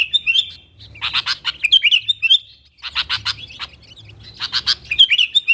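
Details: Sooty-headed bulbul calling to wild companions, used as a lure to draw wild bulbuls closer: loud, bright chattering bursts of clipped notes, clustered in dense groups around one and three seconds, separated by short lilting whistles.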